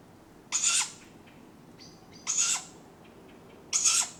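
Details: Tawny Owl owlets calling for food at dawn in July, Padarn Park woodlands, recorded on a drop rig: three harsh, hissing screeches, each about half a second, spaced roughly 1.5 seconds apart over a quiet background.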